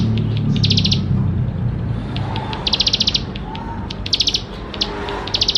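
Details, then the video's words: Bar-winged prinia in full rich song, meant to prompt young birds to start singing: a few quick high ticking trill bursts with gaps, over heavier low rumbling background noise. "Ciblek Sawah Gacor Full Isian Mewah"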